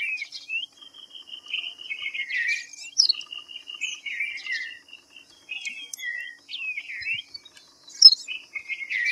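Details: Dense run of whistled and chattering notes from a white-browed fantail, with level and falling slurs in close series, then sparser chirps; a thin high hum runs throughout.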